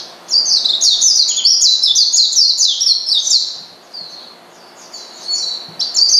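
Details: A steady run of fast, high, buzzy chirps from an Oriental white-eye calling a rival to provoke it, fading to softer notes before a final loud chirp.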